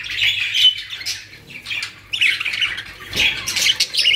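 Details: Budgerigars in a new collection in Pakistan chatter in busy bursts of scratchy, high squawks and chirps, several birds overlapping with a faint low hum behind.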